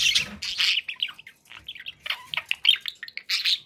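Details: Pet budgies chattering: bursts of high chirps and scratchy warbles, broken by short gaps, with a faint low thump at the start.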